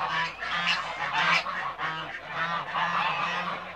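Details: Backyard Toulouse geese give loud nasal honks in short repeated bursts, several birds calling together.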